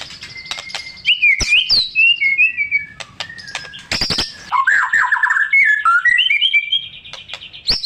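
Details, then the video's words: Gacor white-rumped shama song with borrowed phrases, played to make stalled shamas sing: thin whistles and chirps, a loud sharp burst, then sweeping descending warbles and steady rising whistled notes. "Murai Batu Macet Auto Bangor MATERI // Dengan Suara Murai Batu Gacor Isian MEWAH"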